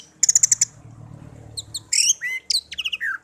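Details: A tame songbird, hand-raised as a pet for one year after being found in a garden, gives a quick row of six bright chips. Twittering slurs and short descending whistled notes follow over a faint low hum.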